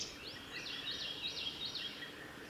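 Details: A male Blue-and-white flycatcher sings on a forest road in Tanzawa, Japan, 28 May 2021: a quick run of about six clear, high whistled notes sliding up and down, over steady background hiss; Blue-and-white flycatcher.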